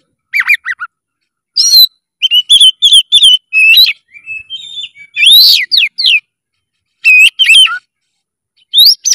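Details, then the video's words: Energetic oriental magpie-robin song full of emotion, mixing scratchy chattered notes with bright rising whistles in short bursts, one softer wavering passage midway, and loud sweeping phrases near the end. "SUARA KACER GACOR FULL EMOSI"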